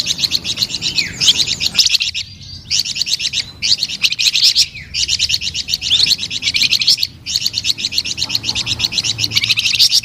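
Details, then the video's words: Flamboyan bird in full, melodious song: long bursts of very rapid, high chattering trills, broken by short gaps roughly every one to two seconds. "SUARA MERDU DAN GACOR BURUNG FLAMBOYAN"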